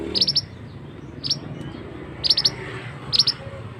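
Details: Male scarlet-headed flowerpecker lure call, loud and used for trapping birds in forest; four clusters of sharp, very high ticking notes about one second apart over a low background hum.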